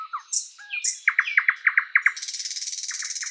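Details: In a spring forest, a thrush nightingale delivers slurred whistles, then a quick run of sharp repeated chips at about four per second, ending in a fast, harsh rattling trill.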